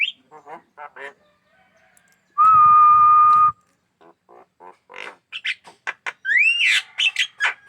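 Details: Kept Javan myna, described as a keen singer that attacks hands, gives scattered raspy clicks and notes, a long loud level tone in the middle, then sharp rising whistled squeals.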